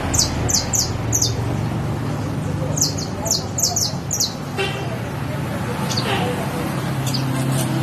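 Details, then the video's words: Saffron finch (canario criollo) gives two bursts of sharp, high chirps, three or four quick notes each, over a steady low rumble of traffic. "Canario criollo"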